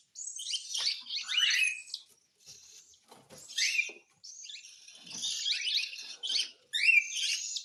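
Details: During hand-feeding, a cockatiel makes rasping, buzzy begging calls in uneven bursts with short pauses, some notes sliding upward; faint clicking from feeding in the background.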